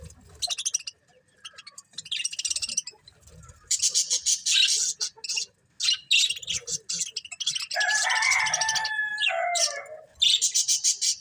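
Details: Colourful budgies chatter nonstop in bursts of rapid, buzzy, high chirps separated by short pauses, with a brief tonal warble of stacked squeaky notes near the end.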